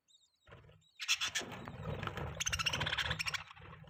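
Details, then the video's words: Budgies chatter in a dense, scratchy warble, rapid high chirps and harsh buzzy notes run together without pause after a soft opening, with low rumbling underneath. "Budgie Chirping Sounds | Budgie Singing Sound | Budgie Beautiful Voice"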